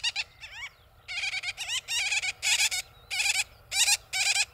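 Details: Black-bellied sandgrouse (Pterocles orientalis) on the La Mancha steppe, Spain, give rolling, bubbling churred calls in short bursts, about two per second, with a rich throaty tone over a quiet background.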